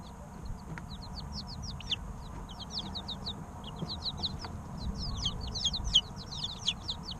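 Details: Three-week-old chicken chicks chirping together, a dense flurry of high, quick downward-sliding peeps overlapping throughout, growing busier toward the end, over a steady low rumble.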